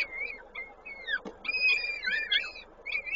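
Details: Peregrine falcon at a nest in Koszalin on 19 May 2022, during feeding; thin wavering whistled calls rising and falling, in short bursts with a faint steady hum behind.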